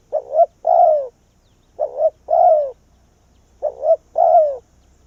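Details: Spotted dove kept as a decoy bird, calling wild doves in to its tree in Vietnam. Three steady phrases, each a quick double note followed by a drawn-out, downward-sliding coo, repeat roughly every two seconds. A faint low hum sits underneath.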